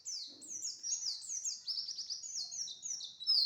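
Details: High, rapid pleci song: a continuous chain of thin descending slurred notes, run together into a twittering stream, clear over quiet surroundings.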